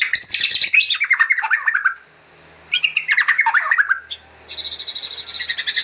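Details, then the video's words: Murai batu, or white-rumped shama, singing vigorously as training master song: two descending cascades of scratchy, tumbling notes separated by a brief pause, then a sustained buzzy, chattering passage. "MACAM-MACAM SUARA BURUNG MURAI BATU GACOR UNTUK MASTERAN"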